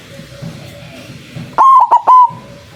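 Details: White zebra dove call meant to attract doves for trapping: after a quiet stretch of low hum, one powerful three-syllable coo with a long opening note and two short follow-ups.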